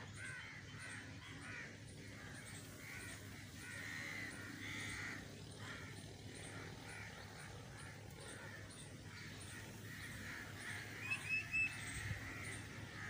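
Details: Many crows caw in a rapid, overlapping chorus of harsh, nasal calls, several per second, with faint high bird chirps and a steady low drone.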